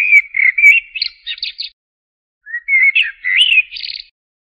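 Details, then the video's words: Common blackbird delivering two song phrases separated by a pause, each opening with smooth, flute-like whistled notes and closing in a jumbled, higher-pitched chattering flourish. "تغريد طائر الشحرور ( جحمومية - الزرياب ) Turdus merula"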